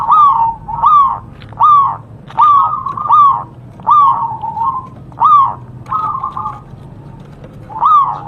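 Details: Zebra dove of local wild stock, singing persistently in a bird-trapping setting, gives a string of about ten short, falling cooing notes at a steady mid pitch, most spaced under a second apart, with a faint low hum behind.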